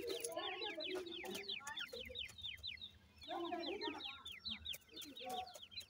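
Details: A flock of teetar (grey francolin) chicks being raised indoors peeps in fast down-slurred bursts. The bursts pause briefly, with lower chattering notes and light clicks.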